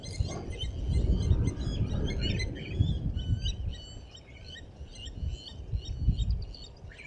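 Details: Blacksmith lapwings defending their nest at Djuma Private Game Reserve, giving sharp, metallic clinking notes in quick, irregular succession, several per second, over a steady low rumble.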